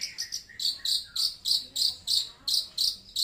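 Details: Long-tailed shrike singing loud and clear: a steady run of sharp, high chip notes about three per second. Some are paired with a lower, briefer note.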